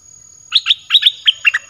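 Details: Red-whiskered bulbul sings a bright, bubbly phrase of about eight quick whistled notes, rising and falling, played to lure wild birds; clear and near, with a thin high tone in the background.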